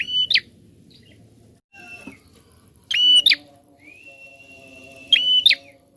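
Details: Prinia calling persistently to stimulate other birds: three strident, sharp bursts spaced about two and a half seconds apart, a faint thin whistle drawn out between them, and a steady droning hum underneath.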